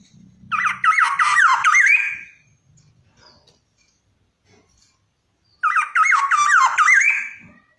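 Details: Black-naped oriole (kepodang) song: two phrases of rolling, looped whistled notes, each about one and a half seconds long and separated by a quiet gap, with faint low sounds in between.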